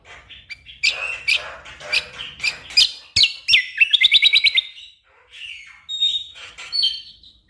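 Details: Tutor recording of an orange-spotted bulbul for training contest birds, singing persistently in dense bursts: high chirps and whistles, then a fast rattling trill of repeated notes, a pause, and sliding whistled phrases.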